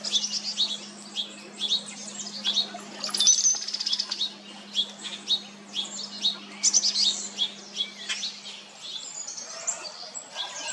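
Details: Painted buntings in summer on Jekyll Island, Georgia, USA, June 2022: bright, rapid, high twittering phrases coming in bursts, with a faint low drone under the first part.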